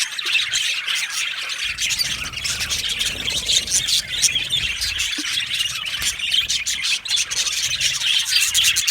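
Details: Aviary flock of budgerigars, described as happy, fills the air with rapid high chirps and chattering twitters, a thick chorus of many birds with occasional sharp squawks rising above it.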